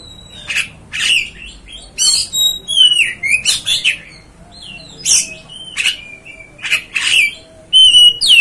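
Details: Oriental magpie-robin song meant to provoke another bird: a busy run of harsh scratchy bursts and clear whistles dropping in pitch, coming quickly with only short pauses.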